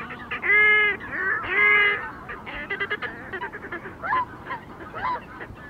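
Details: A red-necked grebe on a large lake in Poland on a misty late-August morning gives two loud, drawn-out, nasal wails calling to his mate, who rose earlier to hunt, then shorter squeaky notes and soft chatter from other waterbirds; audible for dozens of metres.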